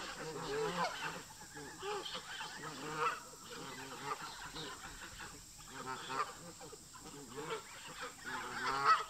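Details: Tension between local park geese and migrating visitors; quiet, scattered honks rise in short clusters, with louder honks at the end over low flock murmurs.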